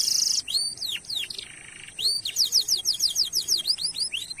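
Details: Energetic canary song used as a lure for other canaries: harsh opening notes, curved whistles, a buzzy hum, then a fast run of steep descending chips.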